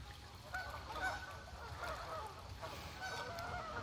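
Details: Geese gathering at dawn, a crane possibly nearby, give overlapping nasal honks from a flock at a distance, layered calls rising and falling over steady low wind rumble, with a voice heard faintly around.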